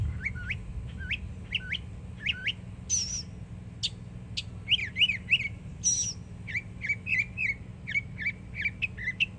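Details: Yearling Northern mockingbird in Florida singing hard: a repeated upswept whistled note given four times, then high sharp squeaks and clustered chirps, followed by a long run of quick repeated chip-like phrases over a steady low hum.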